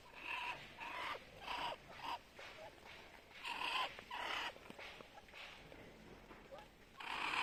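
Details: Muscovy duck hissing: a run of breathy, rasping puffs, each lasting under a second, with short gaps between them and a louder burst at the end.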